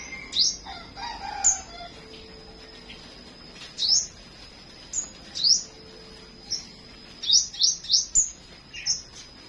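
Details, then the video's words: Flowerpecker in the morning giving bright, high, rising chirps, single or paired, then a fast cluster of four near the end, with a few lower whistles early on. "Chim Sâu Hót"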